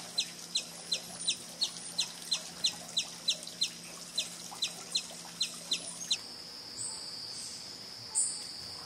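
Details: Sombre hummingbird on the Trilha dos Tucanos, São Paulo State, Brazil, in April 2019: a steady series of thin, high, sharp chips, about three per second for six seconds, then a continuous high insect drone takes over.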